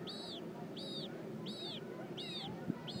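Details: A Magellanic penguin chick at the San Francisco Zoo, being fed by its mother, gives high, thin arched begging peeps, about two each second, over a low background rumble.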